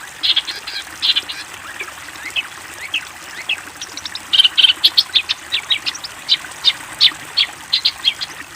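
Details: Song of a long-tailed shrike, recorded as training material for young shrikes: clusters of sharp, high chirps, dense and busy, with brief pauses between bursts and a steady faint hiss behind.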